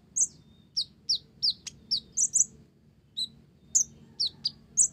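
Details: Olive-backed sunbird with a song filled with Java sparrow phrases: crisp, high, downslurred chips spaced about a third of a second apart, with a brief gap midway.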